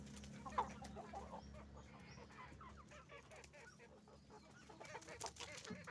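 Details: Roosters and hens on a chicken farm making noise; one sharp cluck near the start, then soft overlapping clucks and chatter from the flock over a low hum.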